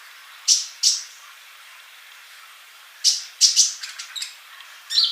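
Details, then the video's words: Male olive-backed sunbird, used as a song model for young birds; isolated sharp high chips in pairs and small clusters, separated by quiet gaps. "Kolibri Ninja Jantan Gacor buat masteran yang masih bisu"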